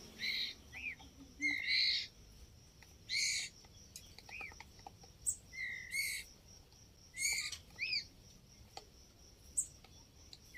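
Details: Young white-rumped shama giving short harsh squawky notes and small arched chirps at irregular intervals, with a steady high insect-like hum behind.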